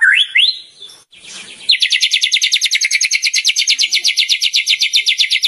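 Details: Champion white-rumped shama singing continuously: a couple of rising whistled slurs, a brief quiet gap, then a long rapid, high, buzzy trill of evenly repeated notes.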